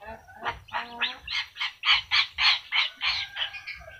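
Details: Talking yellow-crested cockatoo giving a string of about a dozen nasal, honking syllables in steady rhythm over a faint low background hum.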